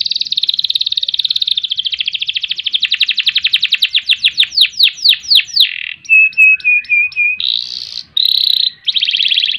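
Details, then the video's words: Canary singing a long, vigorous song in ngerek, ngerol and nembak style: a rapid buzzy trill slows into a series of sweeping downslurred notes, then a steady whistled note and short bursts of buzzy trills. "Kenari Gacor Panjang Ngerek Ngerol Nembak"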